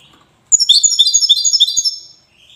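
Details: European goldfinch, wydani type, Safi, Morocco, delivering a fast rippling twitter, a steady stream of sweet high chirps for about a second and a half before tapering off, with faint soft notes before and after.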